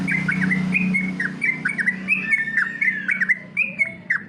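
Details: Yellow-vented bulbul competition-style training song: rapid bubbly chirps and short slurred whistles, rising and falling, repeated in quick bursts over a steady low hum.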